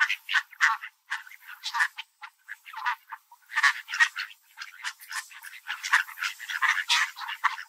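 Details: In a park, hungry mallard ducks, including a large dark-feathered one with a white chest, fight over birdseed, quacking in rapid, overlapping bursts of harsh, nasal calls, several at once, with short pauses between flurries.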